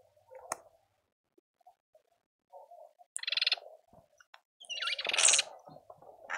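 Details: Speckled mousebirds at a feeder in a suburban garden in Pretoria, South Africa: harsh, buzzy, broadband bursts of calling, two longer raspy outbursts, with faint soft low cooing from other birds between them.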